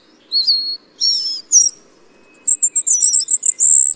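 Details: Ferruginous flycatcher calling: a few thin, very high drawn-out notes with slight wavers, then a quick run of short, sharp ticks growing denser toward a sustained high trill at the end. Background quiet apart from a faint low hum.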